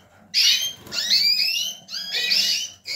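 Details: Yellow mosaic canary, a male hatched in 2018, in full song: piercing, high whistled slides and rolling trills in three quick bursts, bright and ringing, over a quiet low background hum.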